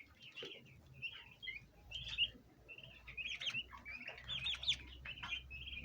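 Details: Bronze turkey poults, a flock of domestic chicks, chirp as they gather at a basin of ornamental plants. Short high peeps come in loose clusters, some with sharp rising notes, over low background hum.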